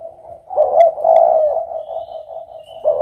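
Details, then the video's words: Spotted dove gives soft, low, hollow cooing notes that swell and fade over about three seconds, with faint background hiss. "suara burung derkuku"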